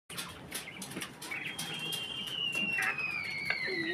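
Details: A farm quail calls before laying eggs: a long, thin whistled note slowly sliding downward over about two seconds, with light rustling and scratching around it.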